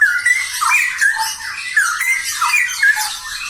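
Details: Straw-headed bulbuls, a pair, in full song: loud, bubbling whistles rising and falling in quick succession, backed by constant high-pitched chatter and background noise.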